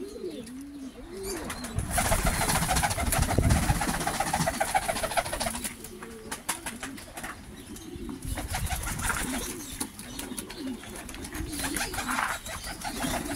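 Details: Pomeranian pouter domestic pigeons, all hatched in 2023, give low, throaty coos that wobble and repeat indoors, with bursts of wing flapping and clatter.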